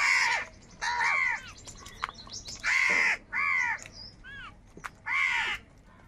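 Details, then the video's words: Harsh crow caws from a flock quarrelling over food come in spaced bursts, some single, some doubled, with a thinner, higher squeak heard between two calls. "Crow Birds Unity Anger and Sound | All types of Crow Sounds | কাকের ডাক Crow Sound Loudly"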